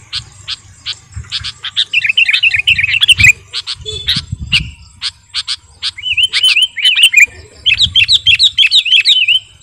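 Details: Sooty-headed bulbul, kutilang garuda, singing as a master song for luring birds; ticking chirps followed by runs of liquid, wavy whistled notes repeated in bursts, light low background noise.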